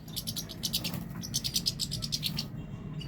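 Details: European goldfinch song as a quick run of bright, tinkling chirps repeated several times a second, high-pitched and lively, ending abruptly, with a low droning hum underneath.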